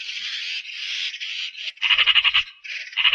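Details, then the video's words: Eurasian magpie heard briefly: a hoarse, drawn-out rasp, then a sharp, quick stuttering rattle of about eight pulses, then one more harsh burst. "RECLAMO de la URRACA"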